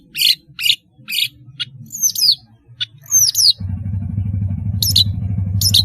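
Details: Long-tailed shrike gives harsh grating notes and two high whistles dropping in pitch; after about three and a half seconds a steady low engine-like rumble sets in beneath a few further rasps.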